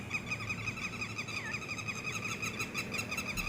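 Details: Baby red-wattled lapwings give a steady stream of short, harsh, harmonic calls, nearly three per second, each note slightly wavering, with a constant low hum in the background.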